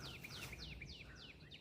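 A Northern Cardinal gives clear, downslurred whistles, each followed by a short lower note, repeated about three times a second over a low rumble of background noise.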